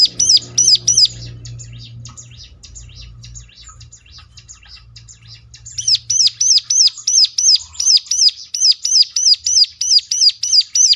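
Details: Bar-winged prinia, locally ciblek, singing a lure to draw replies from others: a few loud high chirps, several seconds of faint twitter over a low hum, then a long even series of sharp hooked chirps, roughly three each second.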